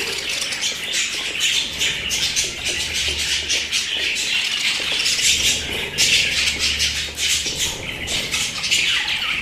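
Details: Several pet budgerigars chattering together, busy scratchy chirping and squawking that swells in louder bursts.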